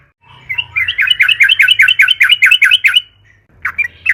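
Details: Yellow-vented bulbul (trucukan) singing lively and long, a lure to set other trucukan singing: a rapid, steady bubbly chatter of wavering chirps lasting about two and a half seconds, then a few short chirps, low hum underneath.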